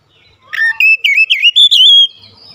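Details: Loud white-rumped shama song: a rapid string of clear whistled notes twisting up and down, joined into one fluid phrase that ends on a held high tone.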